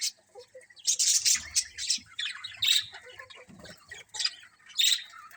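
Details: Colony of colourful budgies chirping together: a dense, overlapping chatter of high, sharp chirps and short warbles, several birds at once, with occasional soft low thumps in the background.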